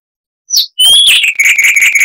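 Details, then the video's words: Chestnut-vented warbler (Sylvia subcaerulea) in 'Kristal'-type song, loud for its size: a brief high note, then a rising whistled slur breaking into a rapid stream of bright, ringing chirps. "Masteran Burung Luar Negeri Suara Asli Kristal HD - Chestnut-vented Warbler (Sylvia Subcaerulea)"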